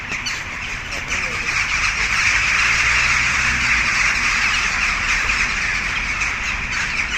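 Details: A large flock of jackdaws in trees in Pristina, Kosovo, fills the air with a dense, continuous din of sharp, overlapping chattering calls, with a man's voice speaking over them.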